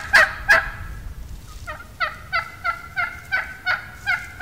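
A wild turkey hen gives a plain yelp: two loud opening notes, then a steady run of about nine raspy yelps, roughly three a second.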